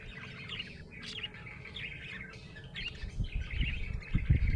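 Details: Budgerigar in a happy mood, chattering and chirping in quick irregular notes, with some louder low thumps toward the end.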